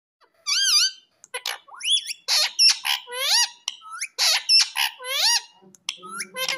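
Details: Pet ringneck parrot talking in a room, a rapid run of shrill, whistled, speech-like syllables with rising and falling squeaky tones, several short bursts in quick succession.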